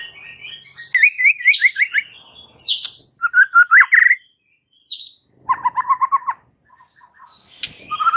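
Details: Energetic white-rumped shama song aimed at provoking rival males: quick series of repeated rising notes, loud upward-swept whistles, and a rattling run of lower repeated notes, with brief silences between phrases.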